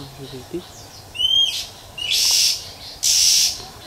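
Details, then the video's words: A wild female Oriental magpie-robin calling in nature to stimulate males gives a rising whistled note, then two harsh, hissing rasps about a second apart, against a quiet background. "Chòe than mái rừng ngoài thiên nhiên huýt chẹp kích trống"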